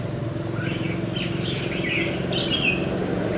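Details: Red-whiskered Bulbul at a fighting trap, where a decoy bird is used to lure a wild one: a quick run of short, slurred chirps and warbles against a background of steady low hum.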